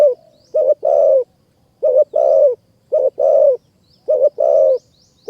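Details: Spotted dove singing in high mountain forest in Kanchanaburi province, Thailand, during decoy trapping. Four even phrases come about a second apart, each a clipped low note followed by a longer, burry, slightly falling coo.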